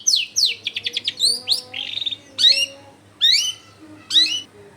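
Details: Lure song of a long-tailed shrike, meant to make rival shrikes answer: a fast run of sharp downslurred chips, then several loud rising, harsh swept notes spaced about a second apart over a low background hum.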